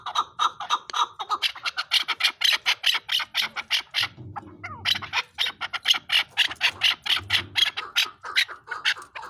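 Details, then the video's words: Chukar partridge calling in a fast rhythmic series of clucking chuk notes, about four or five per second, with a short pause midway before the steady chatter resumes. "Chakoor Bird Beautiful Sounds |چکور کی آواز"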